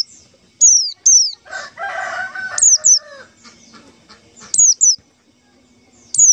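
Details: White-eye call played to lure white-eyes for trapping: piercing high notes slurring downward, in pairs and singles. Lower harmonic calls from another bird briefly overlap in the middle.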